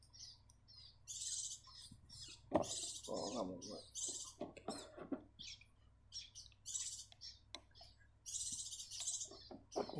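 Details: Captive breeding Grey-cheeked Bulbuls give harsh, hissy chirps in short bursts every second or so, over a steady low hum and a brief human voice.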